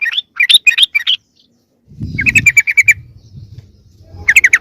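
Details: Lure sound of sooty-headed bulbul for drawing in wild birds: short spaced chirps, then a tight run of bright clipped notes, a pause with low rumble, and another quick chirping burst.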